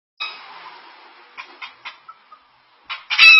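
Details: Pet cockatoo imitating chicken sounds: a drawn-out harmonic cluck followed by short stacked clucks, a soft whistle, then a loud harsh squawk at the end.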